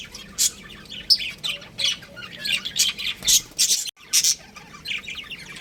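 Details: Pet budgies, a breeding pair, chattering with scratchy squawks and high chirps in uneven bursts, a brief silent gap midway.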